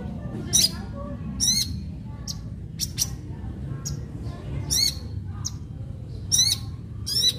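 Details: Fighting-style lure song of a long-tailed shrike, meant to set other shrikes singing: loud, harsh squawking notes with high sliding whistles, in irregular groups of one to three, over faint low rumble.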